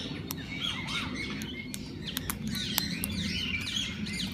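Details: Several kinds of parakeets in a walk-in aviary at a parrot zoo, where visitors feed and hold them: overlapping short curved chirps and warbles, fast and irregular, over a steady low rumble of background noise.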